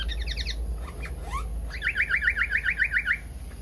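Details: Pied fantail, known locally as seriwang or tali pocong, in a lure recording used to attract birds: quick chattering series of sharp rising notes, a short burst, then a longer evenly repeated run of about a dozen squeaky strokes, with a faint steady electronic tone.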